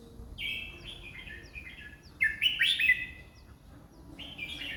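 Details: Red-whiskered bulbul, 20 song phrases per minute: a soft opening phrase, then a louder, jumpy, rising-and-falling whistled warble, then another softer phrase trailing off near the end.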